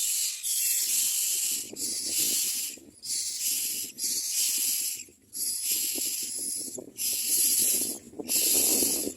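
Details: Hungry common mynas at a nest give harsh, hissing begging bursts, each lasting about a second or two, separated by short pauses and repeated steadily throughout.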